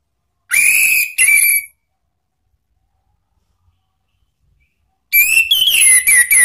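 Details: Orange-headed thrush song in the ngeplong and ngeriwik styles, used as a lure to train cage birds. Two loud, clear whistled phrases with a rich tone, a long silence, then a rapid, varied string of whistled notes.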